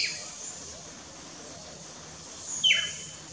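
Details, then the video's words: Pearly-eyed thrasher at Wallings Dam, Antigua, gives two harsh, downslurred calls, one at the start and a louder one near the end, over a steady high insect hiss. "Pearly-eyed Thrasher"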